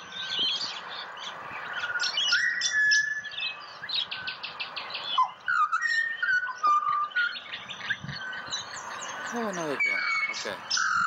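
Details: Pied butcherbird in Australia serenading a person, with clear whistled notes that rise and fall, scattered among busy high chirps and twitters from other birds and a few quiet words from a person.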